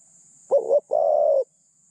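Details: Decoy spotted dove, medium-pitched, calling to draw in other doves: a short doubled coo then a long even coo in one phrase, with a continuous faint hiss behind.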